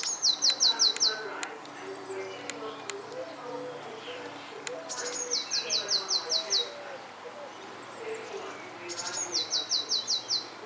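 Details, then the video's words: Garden songster of unknown species repeating its song three times: each phrase is a rapid, high, ringing trill of six or seven identical falling notes, separated by several seconds of quieter background murmur. "(On)bekende zanger in mijn tuin"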